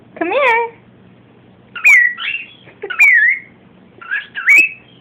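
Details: Household cockatiel addressing baby cockatiels with its "come here" talk: an opening harmonic voice-like syllable followed by four clipped whistled chirps, rising then falling, spaced about a second apart in a quiet indoor room.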